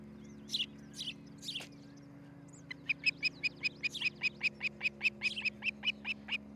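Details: Osprey calling at its nest near Charlo, Montana, nest cam, early morning of 13 July 2018. A few scattered high notes, then a fast burst of about fifteen clipped, whistled piping calls.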